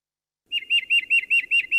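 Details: Tufted Titmouse (Baeolophus bicolor) song, its phrases likened to "peter-peter-peter": a fast run of clear whistled two-note phrases, about five per second, with no other sounds.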